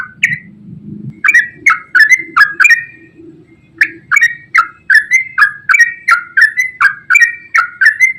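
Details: Yellow-vented bulbul delivering a long ropel song, aimed at stirring silent birds to sing. After a short pause, clear chirpy two-pitch whistles repeat steadily about three a second. Faint low murmuring is heard near the start.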